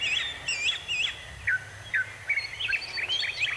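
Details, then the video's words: Bird chirps outdoors: looping whistled notes repeated about twice a second, then quick downslurred tweets and bright twittering, with low background rumble. "bird sound effect"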